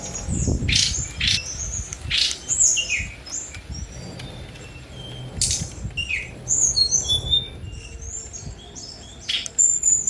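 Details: Sunda robin singing a rapid medley of sharp clicks, high thin whistles and short falling slurs, delivered in uneven bursts over soft low background noise.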